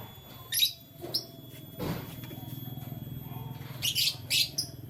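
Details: Canary chirps in the morning: a few short high tweets at the start, then a quick burst of three or four near the end, over a steady low electrical hum.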